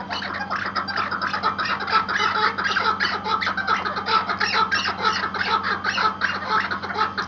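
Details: Iraqi white hunting partridge, a tethered decoy bird, giving rapid harsh cackling notes about twice a second in a steady, slightly uneven chatter, with a constant low hum behind.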